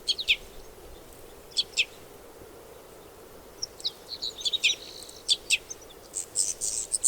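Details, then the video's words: Red crossbill (Loxia curvirostra), a finch-family crossbill: crisp, high, downward-sweeping kip calls, often doubled, spaced irregularly, with a cluster of softer high chips in the middle and a burst of higher, noisier twitters at the end over faint steady hiss. "Red Crossbill Bird Sound Video: Bird Call"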